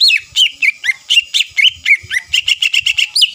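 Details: Greater green leafbird song aimed at provoking rival birds: rapid, continuous whistled notes with looping downward slurs, speeding into a quick even string near the end.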